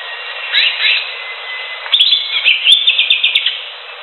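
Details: Greater green leafbird in the wild giving a few scratchy slurred notes, a pause with a thin held whistle, then a fast, dense string of sharp chirps and twittering phrases.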